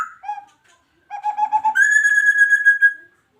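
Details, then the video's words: Adult breeding male white-rumped shama of the Medan type singing in a breeding cage: a short low whistle, then a pulsing warbled phrase that turns into a long, loud, steady whistled note held for over a second, in quiet surroundings. "Murai Batu Medan Gacor"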